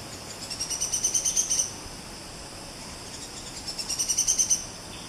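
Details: Buff-rumped woodpecker in a Malaysian rainforest: two high, thin trills of rapidly repeated notes, each about a second and a half long and swelling in loudness, over a steady hiss of forest insects.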